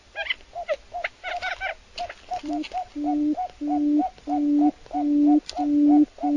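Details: Wild forest quail: a steady series of short hollow notes repeated almost every second. Later each note is followed by a longer, lower, flat hooting tone, with a few sharp higher chirps at the start.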